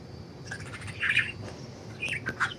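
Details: Budgerigars enjoying freedom outside their cage: a few short, bright chirps near one second, then two or three quick twittering notes toward the end, over a low steady background hum.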